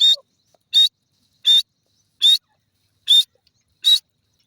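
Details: Grey francolin calling during a fight: shrill, piercing short notes repeated at roughly one-second intervals, six times in a row, with silence between.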